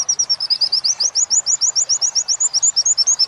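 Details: Tutor recording of Oriental white-eye song for teaching captive birds, wit-wit linked with kuntilanak style: quick, evenly spaced high sharp upslurred chirps repeating several times a second throughout, clean and without other sounds.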